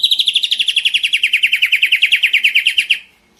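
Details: A young white-rumped shama (trotol) delivers a clean, rapid trill of about thirty bright high notes over three seconds, gently descending in pitch before stopping, with a quiet background.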